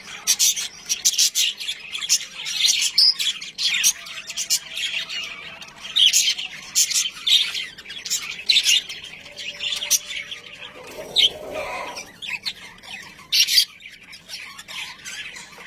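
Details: Budgerigars kissing chatter in a steady stream of high, scratchy chirps and squawks.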